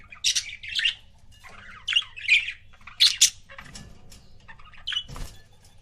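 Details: Pet budgerigar couple giving loud squawky chirps and scratchy warbled phrases, with softer chatter and a couple of thumps in the second half.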